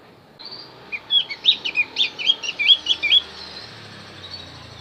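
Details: Song of the Javan grey-throated white-eye, played to lure wild birds, as a two-second string of about ten high, sweet, wavering whistled notes in quick succession.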